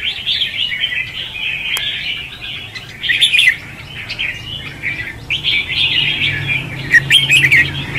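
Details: Red-whiskered bulbuls in a singing contest, "ché" and "xòe" styles, used to lure birds for trapping. Warbled bursts separated by short lulls, a sharp click early on and a steady low hum in the background.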